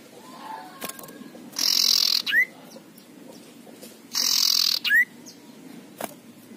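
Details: Two rough, rasping bursts from an aggressive male common iora, each followed at once by a clear rising whistle, spaced about two and a half seconds apart.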